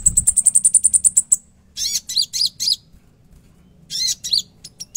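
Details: Konin in vigorous fill-laden song: a rapid string of thin high ticks, then several harsh, buzzy, descending bursts and scattered sharp chips.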